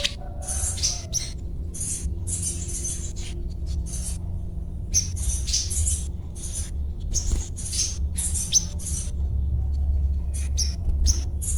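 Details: Spiderhunter (sogon) singing in its daily routine: short, high, scratchy chirp bursts, a cuet cuet pattern, repeated roughly every half second to second with pauses between groups, over a constant low hum.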